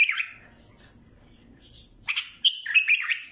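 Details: Bulbul giving a short burst of warbled, slurred notes after a quiet pause, with faint low rumble underneath.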